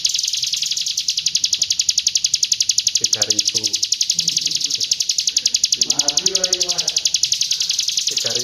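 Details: Hill prinia in the 'roll tembak' song style, from East Java: a fast run of sharp, high chirps, about four a second, held steadily throughout, while a man talks over it midway and again near the end.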